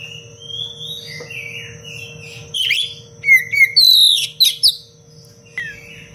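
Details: Oriental magpie-robin in full, dense 'cengkok rapat' song, used as a tutor recording for training other birds: soft whistles build into loud, varied burst phrases with sharp descending notes and rich trills, over a steady low electrical hum.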